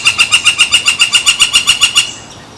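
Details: Woodpecker at San Francisco Bay on July 18, 2023, giving a rapid, steady series of about thirteen bright, harmonic notes in two seconds, each note evenly spaced, fading into quiet hiss at the end.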